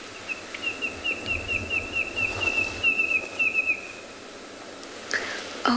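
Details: A small Red-crested Korhaan at sunset on 27 November in the Tswalu Kalahari Reserve, South Africa, gives a quick run of sharp, high snapping notes, about four a second; this beak snapping precedes its call.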